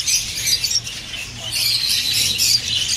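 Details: Budgerigars chattering to encourage mating: short bursts of shrill, scratchy squeaks and twitters, dipping quieter around the first second before resuming strongly, with a low steady hum behind.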